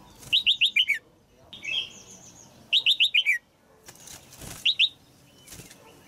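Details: Female red-whiskered bulbul, caged, singing to stimulate an adult male; rapid runs of four or five whistled notes descending at the end, repeated twice, with a softer warble between and a brief two-note fragment later.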